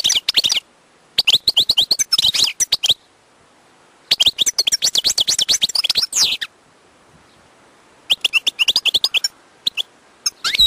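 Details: Wild European goldfinch singing: rapid bursts of tinkling, twittering high notes in phrases of one to two seconds, separated by short silences, ending with a few drawn-out liquid notes; no other sounds.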